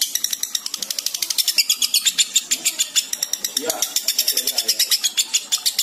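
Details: Continuous ngekek chattering from a lovebird in breeding condition, meant to coax others into breeding mood: dense, piercing, rattling notes repeated fast and evenly for nearly six seconds.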